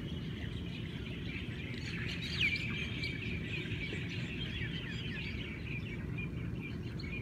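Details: Morning chorus of Hawaiian birds in Hawaii, with many twittering voices and one clear rising whistle near the middle, all above a constant deep background roar.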